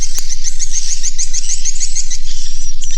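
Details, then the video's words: Swiftlets calling inside a swiftlet house: rapid, evenly repeated high chirps, several per second, forming a continuous twittering chorus over a low background hum. "BEGILAH SUARA ASLI DALAM GEDUNG WALET"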